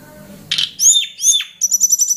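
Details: Lure call of a hill prinia, used for tutoring cage birds: after a brief burst of low rumble, two loud downslurred whistled phrases, then a rapid series of very high, evenly spaced chips.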